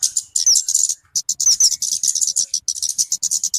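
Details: High, hurried chip series from a talokan (kemade) bird, a sound used for luring and as a song tutor, interspersed with wavering whistled slurs and a brief gap after the first second.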